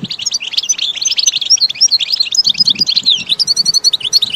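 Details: Goldfinch song from a recording made for training caged birds: a fast, continuous high twitter of short chirps and thin whistled notes, with bright trilled phrases near the end and faint low thumps in the background.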